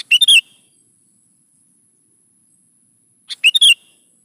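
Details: Gacor singing of a sooty-headed bulbul, meant to draw young bulbuls into answering: two brisk, bubbly phrases of three or four tumbling notes, about three seconds apart, with silence between.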